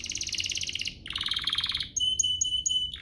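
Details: Canary song meant to spur other canaries into steady singing: a buzzy rattling trill, a second lower rolling trill, then a long pure whistled note topped by brief high pips.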